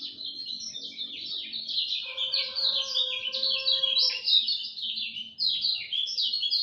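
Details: At dawn a lemon-bellied white-eye delivers a sustained, fast warble of high, sliding chirps, accompanied midway by a few steady whistled tones in the background.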